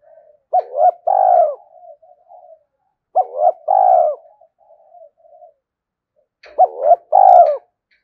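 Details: Spotted dove cooing to provoke wild doves. The same phrase repeats three times about three seconds apart: quick hooked notes, then a drawn-out, low, wavering coo with soft trailing murmurs.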